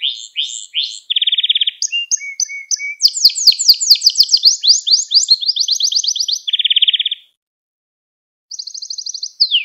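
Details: Canary song for tutoring young canaries, with sweeping chirps, a dense low trill, brief whistles, a long run of rapid descending notes, another low trill, a pause, then a high trill and falling note.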